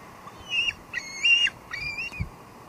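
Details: Juvenile bald eagle at its nest at Two Harbors, filmed by live nest camera on 16 July 2022, calling while expecting food as its father arrives with nest fluff instead; three high, thin whistled notes, the middle one longest, over faint steady hiss.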